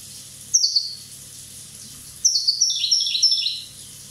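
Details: One-year-old European goldfinch from Corsica giving a short high chirp sequence, then a longer tumbling twitter of descending bright notes.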